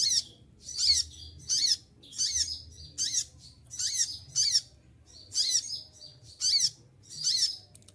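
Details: Moulting olive-backed sunbird keeps up a fast series of shrill, strident high bursts, about ten in eight seconds, each with a short falling slur below, over faint low hum.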